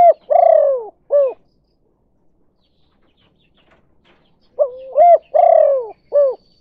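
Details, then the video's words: Spotted dove kuk 2 lure call for attracting other doves, two low cooing phrases each with a longer falling coo flanked by short hollow notes, separated by about three seconds of quiet. "Suara Burung Tekukur Derkuku Kuk 2) Cara Pancingan Berkesan"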